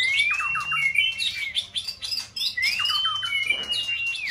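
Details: White-rumped shama competition singer in its prime season, used to trigger another bird's song: high, clear whistles sliding up and held, mixed with rapid twittering notes, repeated twice.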